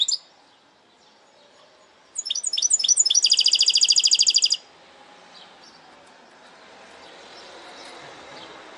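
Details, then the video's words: Parçalı-style song of a goldfinch hybrid. A handful of clipped, descending chirps gives way to a rapid, rattling high trill lasting over a second, then fades into soft background hiss. "Saka Melezi Parçalı ötüm"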